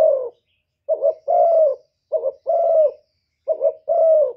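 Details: Spotted dove in 'thổ thúc' voice style, calling to stir up wild rival doves: three low double coos, each a quick wavering note then a drawn-out, slightly falling coo, in a quiet setting.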